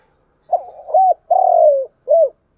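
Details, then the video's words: Spotted dove decoy cooing in the morning to lure wild doves: a single low phrase of two short hooting notes, one long drawn-out falling coo, then a final short coo, with quiet around it. "Cu gáy mồi gáy gọi buổi sáng"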